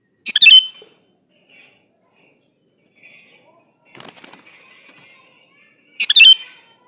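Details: Calling male sooty-headed bulbul seeking a female, played to provoke other bulbuls to answer. Three sharp, chattering bursts come about two seconds apart, each ending in a short whistled tone, with softer notes between.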